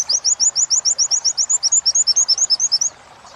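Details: Oriental white-eye training material for caged birds in 'wit wit' style joined with 'kuntilanak': about twenty crisp, high, upslurred chirps delivered rapidly over three seconds, then quiet.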